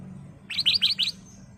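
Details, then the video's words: Ruby-throated bulbul (kutilang emas) lure song for caged-bird training: four sharp, bright notes in even quick succession, over a faint low hum. "Kicau Burung Kutilang Emas Gacor/ Pancingan Kutilang Emas"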